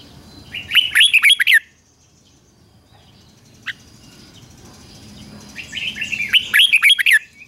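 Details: Red-whiskered bulbul morning training song, two quick bursts of warbled, slurred whistles separated by several seconds of near silence with one faint click.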